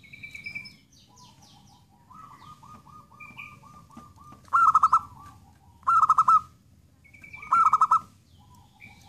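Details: Three bright stuttering coo phrases from a zebra dove, spaced about every one and a half seconds, following a quieter trilled coo; faint higher chirps from other birds come between the phrases.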